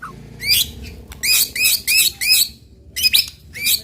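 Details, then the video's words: White-rumped shama song used to provoke other birds into singing: a series of bright downslurred whistled notes in quick bursts, pausing midway then resuming with further sharp phrases over a faint low hum. "TEMBAKAN MURAI BATU PEMANCING EMOSI AMPUH BIKIN AMPUH BIKIN MURAI CEPAT BUNYI"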